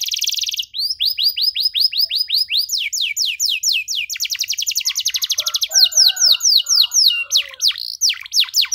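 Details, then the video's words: Ornate, long-trilling canary sung for young canaries learning their song: a brief buzz, a long stream of quick descending whistles, an accelerating trill, then sweeping falling notes over faint lower chatter. "KENARI GACOR DORR NEMBAK PANJANG, CENGKOK MEWAH COCOK BUAT KENARI MUDA BELAJAR BUNYI"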